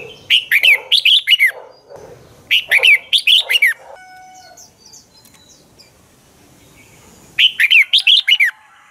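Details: Lure-bird dueling song of a red-whiskered bulbul, used to coax other birds into singing: three quick bursts of loud, bright, falling whistled notes, each with four or five phrases, separated by short pauses and a longer gap.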